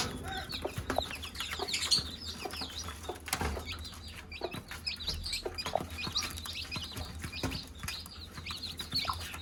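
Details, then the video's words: Chicks answering a mother hen calling them to eat, a continuous stream of high curved cheeps from many birds, with taps and low hum beneath. "Mother hen call her chicks to eat- chicken sound"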